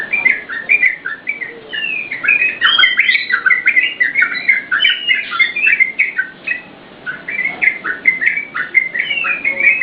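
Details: Yellow-vented bulbul song meant for luring and tutoring cage birds: busy chatter of bright, warbled notes delivered in quick bursts, a short dip in intensity mid-way, then resuming with sharp repeated phrases.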